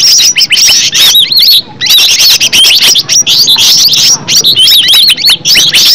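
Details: Green leafbird, locally called cucak ijo, in a lure recording meant to make other birds sing: dense, rapid chattering song of looping whistles and squeaky notes in a near-continuous stream, with brief pauses around one and a half seconds in.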